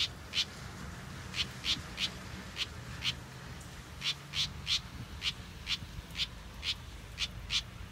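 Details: House wren chick, a big fledgling with a short tail, hatched in a backyard: short, harsh, buzzy notes repeated in an irregular series, about seventeen calls in eight seconds, over a low background rumble.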